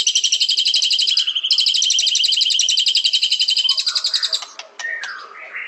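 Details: Bright, rapidly repeated pulsed trill from a white-rumped shama, held steadily for about four seconds, then closing with a few lower slurred whistles.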